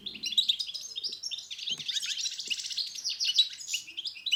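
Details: Continuous fast goldfinch song from Morocco, played to encourage silent birds to sing: a dense run of liquid chirps, buzzy trills and bright twitters with almost no break.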